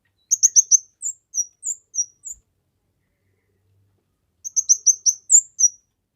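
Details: Gacor kemade, suited to masteran and luring: quick high chirps run together, then spaced ringing notes, and after a quiet gap another rapid sequence of shrill repeated chirps.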